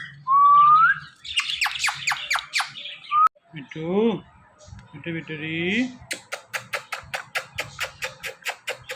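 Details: Indian ringneck parrot kept as a pet, watching videos of itself: one rising whistle, then harsh descending screeches, nasal speech-like syllables, and a fast series of repeated short ticking notes.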